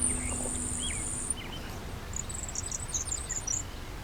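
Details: A Grasshopper Sparrow, named for its grasshopper-like call, gives a thin, very high, insect-like buzz lasting over a second, then scattered high ticks, one morning in Cache County, northern Utah; other birds chirp faintly over low wind rumble.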